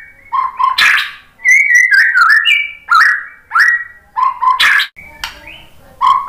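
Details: Varied white-rumped shama song meant to set other birds singing: low paired whistles, harsh sharp notes, and bright sustained whistled phrases that step up and down in pitch.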